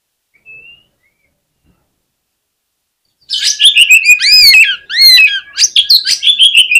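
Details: Oriental magpie-robin fighter song, used to rouse rival males into aggressive response: after a faint note and silence, loud rapid run of rich whistles, sweeping slurs and sharp chips, delivered in dense bursts.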